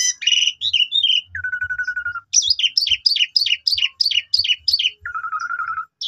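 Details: Asian pied starling song from young birds, played to coax other starlings into singing: a rapid jumble of chirps, a long steady buzzing rattle, then a string of about ten repeated looping whistled notes and another rattle.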